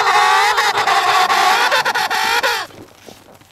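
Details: Emperor penguin at close range on sea ice on a trip between Cape Evans and Cape Royds: a strong, buzzy-rich harmonic call held about two and a half seconds, dipping at the end, then quiet.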